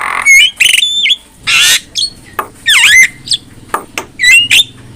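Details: Black-winged myna singing as a training model for other mynas, a loud, varied string of harsh squawks, nasal chattering bursts and swooping whistles, delivered in irregular phrases with short pauses.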